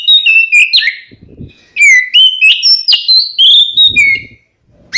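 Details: Oriental magpie-robin song used to provoke rival birds into answering: loud whistled phrases sliding between high and mid pitch, bursts of quick notes, with a short pause mid-clip before the singing resumes.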